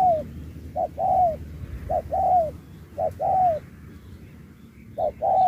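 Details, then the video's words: Spotted dove singing in a 2024 contest, in the Thúc style with Bo. Four clipped-then-drawn-out coo pairs, spaced about a second apart, over a faint low background hum. "Bài lối Thúc kèm Bo tráo trở nước như chim ngoại"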